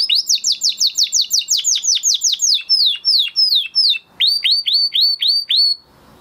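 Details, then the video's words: Canary after its moulting period in full song: rapid run of loud descending sweeps, slowing into spaced strokes, then a brief pause and a row of rising-then-falling whistled notes before silence. "Canary Trying To Unlock His Full Singing Potential Part 2 - Canary Singing Video"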